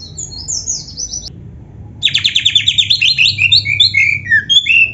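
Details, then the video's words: Kacer (oriental magpie-robin) singing a full isian gacor song: high descending whistles, a short silence, then a rapid burst of repeated chattering notes that runs into varied slurred whistles. "suara burung kacer gacor full isian"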